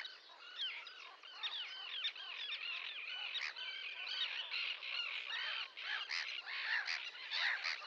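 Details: Crowded chorus of Sandwich terns, rough rasping calls repeated irregularly by many birds at once, forming an unbroken scratchy din.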